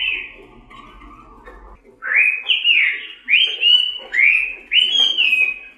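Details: Red-billed leiothrix (Indonesian pancawarna) giving a soft warble, then a run of five loud upslurred, rolling whistled phrases, each about half a second long.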